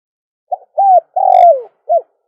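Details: Cooing dove from a dove-calling recording: a short note with a small tail, a smooth arched coo, a long gently descending coo marked by a faint click, and a short last coo, in a silent setting.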